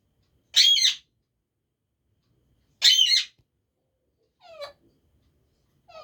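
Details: Talking parrot kept as a pet lets out two loud, raspy screeches about two seconds apart, followed by softer rising whistled notes near the end, in a quiet indoor setting.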